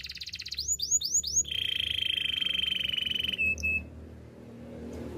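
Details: Singing canary for training canaries: four arching whistled notes lead into a long, even, rapid trill, then two short notes and quiet room noise.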